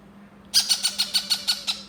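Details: Hand-fed yellow-crowned amazon chick calling. Eight rough, buzzy squawks come in a rapid, even series lasting just over a second, with low room hum behind them.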